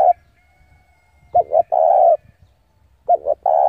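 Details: A decoy spotted dove coos to draw rival birds into a fight: two short notes and a long flat hoot, then the phrase starts again, with a faint whistle in the background.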